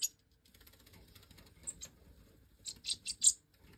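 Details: Five captive-bred Major European goldfinch chicks, recently jumped out of the nest, being fed by the hen in 2024: short bursts of very high, thin squeaky notes, clustered in quick runs near the end, over faint low rustling.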